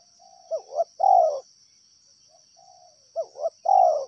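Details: A wild spotted dove gives two coo phrases. Each is a soft lead-in note and a short double note, then a broad, descending coo, set against a continuous high whine.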